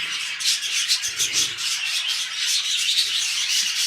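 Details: Budgies kept as pets, mating ahead of a new breeding clutch, give a rasping, buzzy flow of overlapping high chirps and scratchy warbles, steady throughout, with faint low rustles.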